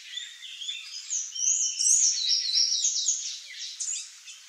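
Palm tanager singing a fast, continuous jumble of high, squeaky twittering notes, sibilant and run together without clear pauses.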